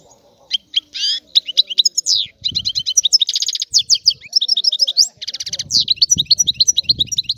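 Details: European goldfinch singing: a rapid, unbroken twittering of high, tinkling notes mixed with buzzy rattles and short trills, very dense and varied, with faint low rumbles underneath.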